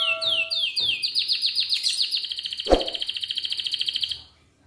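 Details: Atlantic canary singing in the morning, used as a master song to prompt other canaries to sing: opening pure whistled notes, then fast repeated chirps sliding down, merging into a long, even, rapid rolling trill that fades out.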